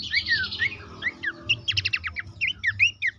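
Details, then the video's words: Horsfield's babbler song played to stimulate caged birds into singing: swooping whistled slurs alternate with a quick burst of sharp repeated notes, over a low background hum. "terapi pancingan dan masteran burung pelanduk semak bikin aktif rajin bunyi"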